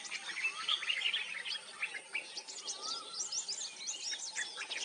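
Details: Common myna, also called Indian myna, singing: a dense, fast stream of chattering, squeaky and clicking notes with short whistled slurs and a low gurgling glide, fairly steady over a faint background hiss.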